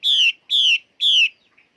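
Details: Three loud, ringing, downward-sliding whistled notes from a female Chinese hwamei, evenly spaced about half a second apart, followed by a faint soft note.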